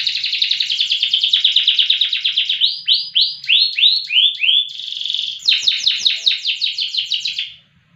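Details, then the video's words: Loper-type canary singing with strong volume and duration. A rapid trill leads into swooping slurred notes, then a brief buzzy roll and a fast, rattling trill that stops abruptly near the end. "KENARI LOPER PRESTASI DURASI VOLUME LAGU MANTAP"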